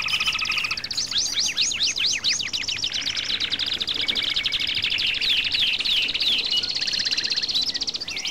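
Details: Twittering song of a European goldfinch, with loud steeply slurred notes early on that run into a sustained, dense, high-pitched trilling chatter to the end.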